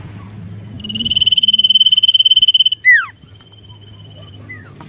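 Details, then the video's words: Lively sirtu song meant to provoke rivals: a rapid pulsed trill held on one high pitch for about two seconds, then a sharp falling whistle and a short, quieter downslurred note, over faint low background rumble. "SIRTU GACOR MERANGSANG BUNYI LAWAN"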